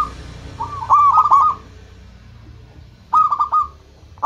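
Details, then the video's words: Local zebra dove singing to draw in rivals: two quick stuttering phrases of rolling coos about two seconds apart, each a cluster of fast pulses ending abruptly, with low background noise. "Perkutut lokal gacor menarik perhatian lawan langsung pada nyaut semuanya"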